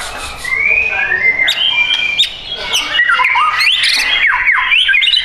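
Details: White-rumped shama, a bird for sale at a shop in Bintaro, South Tangerang, Indonesia: clear whistled phrases, first level, then rising and falling slurred notes and quick sharp chips, with other birds chirping in the background.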